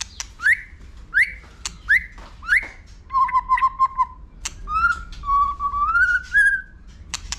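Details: Stimulated for competition, a White-rumped shama gives four rising whistles in a row, then a wavering lower warble and longer sliding whistled notes, with sharp clicks around them.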